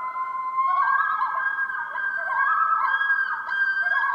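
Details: Common Loon wail call, a long, mournful, wolf-like howl that steps up in pitch and holds, over a soft musical bed. It is used by mates to communicate and locate each other on breeding lakes.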